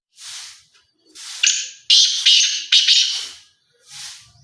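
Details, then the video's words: Black francolin (kala teetar) calling: a harsh, grating, buzzy phrase of several rasping notes lasting about two seconds. Softer breathy noise bursts come before and after it. "کالا تیتر کی آواز ماشااللہ مست بلار تیتر"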